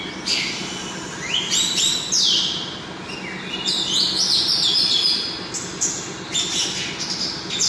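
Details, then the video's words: Orange-headed thrush singing vigorously: loud, varied phrases of high whistles and slurred notes, some sweeping upward, in bursts separated by short pauses, over a faint steady low hum. "Anis Merah Gacor Teler Hyper"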